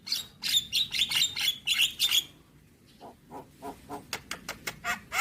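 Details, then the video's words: Javan myna song: a fast volley of about nine harsh, buzzy squawks, then a quieter run of clipped ticking notes that grow sharper toward the end. "Dengar Kicauan Jalak Kebo Maput Full Isian"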